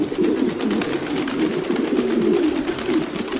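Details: Short burst of domestic pigeons cooing, overlapping guttural, warbling coos forming a continuous low hum, with soft clicking and rustling noises.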